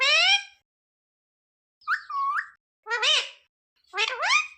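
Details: A pet parrot talks in short bursts: a brief opening syllable, then a wavering mid-pitched phrase, a quick up-and-down warble and a sharply rising word, each separated by silence.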